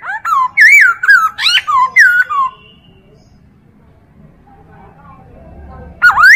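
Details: Chinese hwamei singing as a tutor for other birds: a rapid string of varied, swooping whistled notes for two seconds, a long quiet stretch, then one more bright looping whistle at the end.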